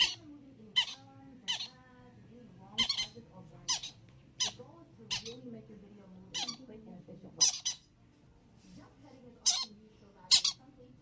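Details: Young yellow-sided conures playing together: short, harsh, high-pitched squawks repeated irregularly, about fourteen across the stretch, over a low steady indoor hum.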